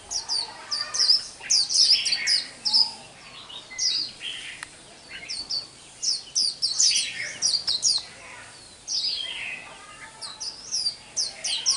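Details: Caged white-eye singing in the 'liễu xù đầu' style, mixed with sunbird-like and skylark-like phrases; rapid, high twittering bursts of sharp descending and rising whistles, repeated in clusters with brief pauses, faint room noise.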